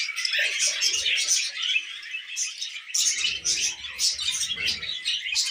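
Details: Pet budgerigars chirping happily, a dense stream of bright warbling chatter and short tweets, continuous throughout with slight rises and falls in loudness.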